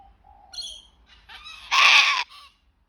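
A sulphur-crested cockatoo gives a few soft whistled and nasal notes, then one loud, harsh, raspy screech lasting about half a second.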